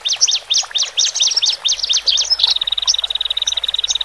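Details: Male and female Horsfield's bush larks, caged, singing to help newly separated birds adapt: a run of sharp high chirps, then a fine, very rapid steady trill.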